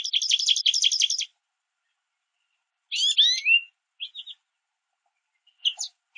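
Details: American goldfinches at a backyard bird feeder, pulling sunflower seeds from a mesh feeder; a rapid buzzy chattering run of about ten notes, then sweeping rising-falling twitters and a few soft chirps.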